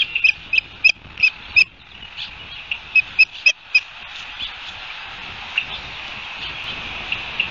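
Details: Osprey near its nest at Barnegat Light, New Jersey, on 29 June: a short run of sharp, whistled chirps in quick succession, pausing, then repeating, fading into steady background hiss.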